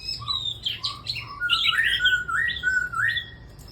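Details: Red-whiskered bulbul in a singing group of birds: bright whistled phrases sliding between low and high notes, several quick varied motifs over about four seconds with a faint low hum underneath.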